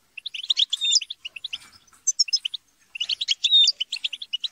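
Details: European goldfinches twitter and squabble as a group, used to spur singing. Short phrases of crisp tinkling notes and thin sliding whistles come in two main bursts split by a brief lull.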